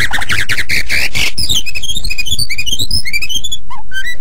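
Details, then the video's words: White-rumped shama in energetic song recorded as a master for training other songbirds. It opens with a harsh grating rasp, followed by a quick cascade of high, varied chirped and whistled notes. "Suara Burung Murai Batu Super Gacor Untuk Master"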